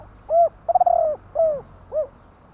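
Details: One mellow cooing phrase from a spotted dove: a rounded coo, a long quavering rolled coo, a downslurred coo and a shorter closing coo, clear and low-pitched.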